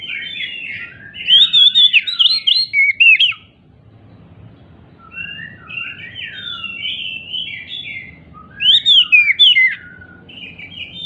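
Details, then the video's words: Oriental magpie-robin (kacer), an agitated, hopping caged bird, singing to provoke silent magpie-robins into answering; two loud bursts of varied whistled, warbling phrases around three to four seconds apart, with softer twittering between and a low background murmur. "Pancingan Kacer MACET BUNYI, dengan Kacer EMOSI LONCAT INI, dijamin NYAUT GACOR KACERNYA"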